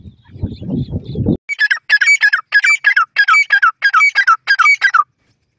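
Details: Black francolin in the forest gives loud, harsh, ringing calls in quick groups of three, repeated about every second, after a brief low rumbling noise at the start.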